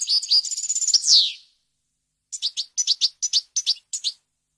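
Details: European goldfinch singing a clean, varied song in wild style, used for tutoring chicks and goldfinch hybrids: a fast liquid twittering trill ends in a downward buzzy slur, then a run of short, sharp twittered notes after a pause.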